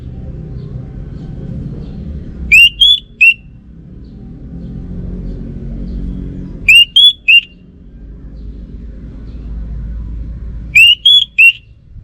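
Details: Three bright whistled phrases of three or four notes each from an orange-headed thrush, Bali, spaced about four seconds apart. Each phrase is rising then clipped short, with a continuous low rumble beneath.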